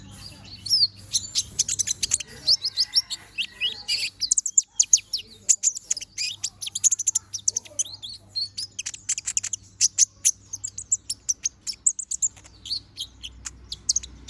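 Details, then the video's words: Young balding konin bird in vigorous song: a long, dense chattering stream of very high chirps, ticks and squeaky trills, barely pausing, with brief quieter gaps. "BURUNG KONIN BOTAK GACORR NGOBRA!"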